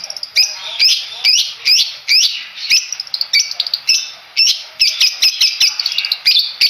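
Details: Long-tailed shrike of the Madura type, hailed as champion at every bird contest: harsh, scratchy chirps and squawks in quick bursts, about two per second, each a short sweeping note, with faint clicks between.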